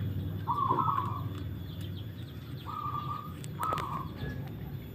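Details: Cooing of a zebra dove during a song test, three short level rolling phrases spaced a few seconds apart against a steady low rumble of background noise.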